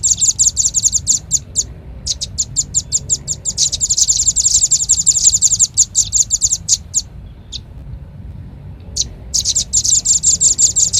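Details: Red-billed leiothrix lure sound for trapping: bursts of quick, high-pitched chirping notes at nearly three per second, broken by short gaps and a longer quiet stretch around seven to nine seconds before the chirping returns.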